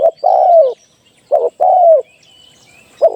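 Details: Trapping decoy spotted dove: a long descending coo, then a quick double note and another drawn-out falling coo, with a further phrase starting; thin high whistles of other birds faintly behind.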